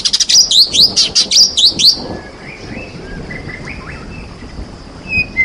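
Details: Champion white-rumped shama with rain: quick sharp chips and upward-sweeping whistles for two seconds, then softer, lower slurred whistles scattered over a steady hiss.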